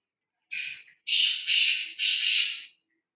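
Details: Black francolin at liberty and unafraid of people, uttering a short sharp note followed by three loud, buzzy, scraping notes of equal length, evenly spaced, then quiet.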